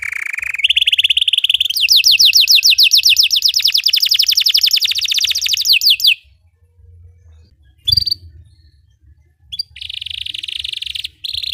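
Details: Belgian canary singing as a training song for other canaries: a steady high trill, then a long run of rapid repeated sweeping notes for about four seconds, a pause with a brief click, then another sustained high trill.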